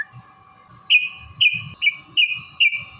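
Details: Yellow-vented bulbul giving a long fighting song meant to provoke other bulbuls into singing: five loud, short whistled notes, each dropping in pitch, about every half second, over a steady humming tone and low rumble.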